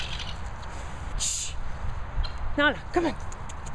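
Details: Guineafowl being chased out of a field by a dog in the Worcestershire countryside: two short, harsh, falling calls over a backdrop of low outdoor rumble.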